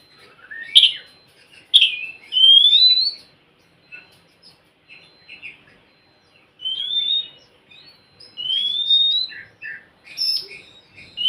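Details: Oriental magpie-robin song meant to prompt a reluctant bird to sing, with sharp chips, rising whistled slurs and short twittering notes in bursts separated by brief pauses.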